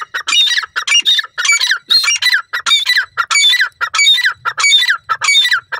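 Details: Grey francolin, also called grey partridge, playing with its chick: loud, harsh, rhythmic phrases repeated steadily with barely a pause, each a cluster of grating notes.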